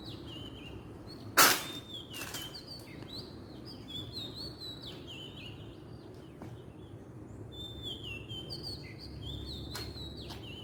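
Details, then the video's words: Oriental magpie-robin in the wild, Southeast Asia, singing a string of varied whistled notes, some rising, some falling, spaced through the stretch; a loud knock near the start and low ambient rumble beneath. "kicauan burung kacer di alam liar"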